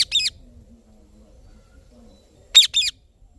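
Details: Indian ringneck (rose-ringed) parakeet gives harsh, high, screechy chirps: one, then a quick pair about two seconds later, with a faint low hum between.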